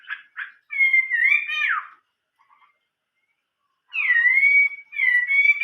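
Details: Chinese hwamei singing in the 'old forest voice' style: a clear whistled phrase with sliding, warbling notes, a short pause, then two more rising-and-falling whistled phrases.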